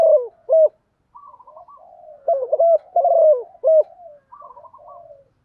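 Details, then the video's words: Female spotted dove calling to attract a male: low cooing notes in short paired bursts, with softer fluttering coos between them and brief pauses. "chim cu mái kích trống hiệu quả cao, tiếng chim cu gáy mái gáy gọi một hậu"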